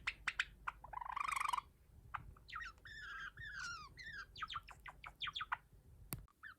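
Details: Cream Java sparrows kept as pets, with practised song: clicks and a buzzy rattling burst, then a sequence of clear descending whistled notes and rapid chirps, ending with a sharp click.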